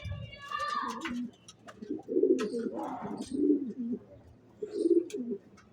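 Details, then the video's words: Racing pigeon cooing in low, throaty rolling phrases repeated at irregular intervals, each a burst of a second or so; a brief higher harmonic call opens the sequence, with faint clicks and rustles between phrases. "Racer Kabuter"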